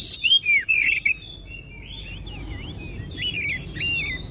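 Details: Oriental magpie-robin singing to prompt others of its kind: rapid loud whistles and sharp downslurs in the first second, followed by quieter, looping, warbled phrases that continue to the end.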